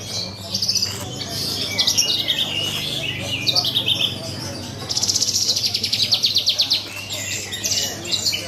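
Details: At a bird contest, a caged Horsfield's bush lark gives mixed high chirps and warbles, then a long, fast, pulsing trill lasting nearly two seconds, followed by softer twitters, with background hum and distant birds.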